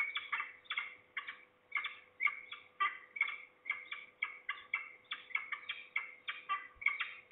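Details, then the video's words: Falcons calling at Trzebież, Poland, in early September 2019, at least two birds, perhaps a juvenile or parent. A steady run of grating, chattering notes, several per second, continues almost without a break. "We hear at least two falcons (closer, below)."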